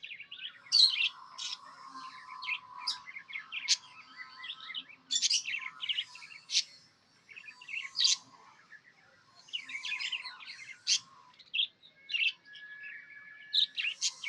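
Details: Pet budgerigar in a happy mood, giving a long run of rapid chattering chirps, squeaky clicks and sharp high notes in uneven bursts, over a faint steady hum of softer warbling.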